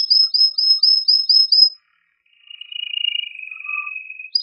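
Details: Male canary singing excitedly and strongly to stimulate females and males to mate: a fast series of repeated high sweeping notes, a pause, then a long buzzy rolling trill held at a lower pitch.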